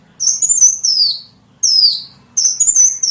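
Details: Small bird lure call: three high, thin whistled phrases, each sliding downward and lasting under a second, separated by brief pauses, over a faint low hum.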